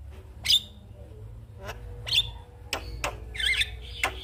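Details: Javan myna morning song used to spur other mynas into singing: sparse, separated harsh squawks and clicks, including a short rough chattering burst near the end.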